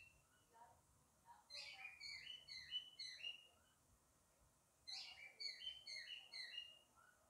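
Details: Male lovebird calling his mate to come inside: two bursts of quick, chattering high chirps, each lasting about a second and a half and separated by a quiet gap, heard at low volume.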